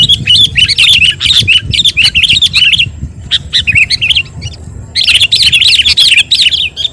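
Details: Nonstop Sooty-headed bulbul song meant to train and stir other birds: choppy phrases of sharp, bubbling high notes in quick clusters, a quieter middle stretch, then a fresh loud burst.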